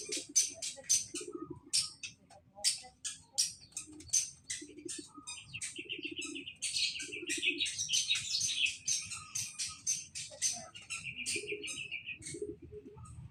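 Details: White-rumped shama singing while bathing in the morning: a rapid, varied run of sharp high chirps and whistles, with a sustained buzzy trill in the middle and near the end, punctuated by soft low splashing or wing-flutter bursts.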